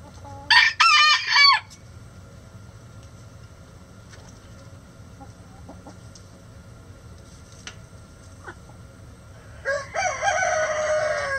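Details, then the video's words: Chicken producing a loud broken crow of two harsh bursts at the start. A long quiet stretch with faint clicks follows, then a drawn-out harsh call at the end. "Chicken Sounds Egg Song | Rooster Crowing"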